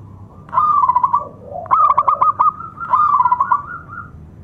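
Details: Zebra dove of local stock whose strong song is used as a lure for other doves and for birds that have stopped singing. Three rippling, stuttering coo phrases rise out of low background hum, each lasting about a second.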